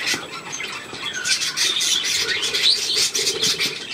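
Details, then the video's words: A group of fidgety chicks on 2 November 2015 fills the air with rapid, overlapping shrill peeps and short squawky chirps, several per second, over constant background noise. "Die Hibbelküken"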